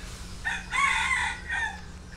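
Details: Red junglefowl kept with young hens that are dust-bathing in the dirt; one clear crow-like call, a short opening note, a long strained harmonic middle syllable and a brief falling ending, over low constant hum.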